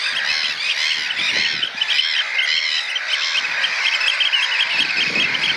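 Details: Three juvenile Eurasian oystercatchers, likely nestmates, huddle together practising the piping display while an adult walks in among them; loud, shrill, rapidly repeated arched piping notes pour out in a continuous, excited stream.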